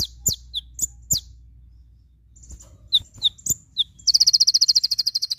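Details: Javan white-eye full tembakan for tutoring: sharp downslurred chips and high whistled notes scattered over four seconds, then a loud, fast, continuous high trill to the end.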